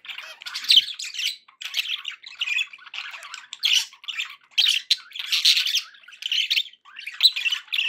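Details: Pet budgerigars, happy, giving continuous warbling chatter: rapid scratchy squawks and chirps in short bursts, several birds overlapping, no pauses longer than a moment.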